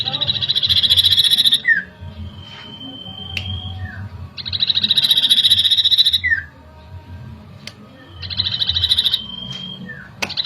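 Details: Common iora song, used as a lure to agitate: repeated one-to-two-second bursts of rapid, high trilled pulses, each followed by a falling note, with a long level whistle between bursts over a low background hum.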